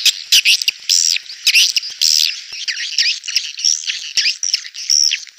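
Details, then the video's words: Clear swiftlet calls used to lure birds into a busy swiftlet house: high, arching squeaky chirps given in quick, uneven bursts, several notes sliding down at their ends. "Suara panggil burung walet jernih"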